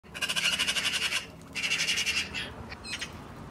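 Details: Magpies bathing at a duck pond: one gives two bursts of harsh, rapid rattling chatter, each about a second long, then a few scattered rasping notes over a faint watery background.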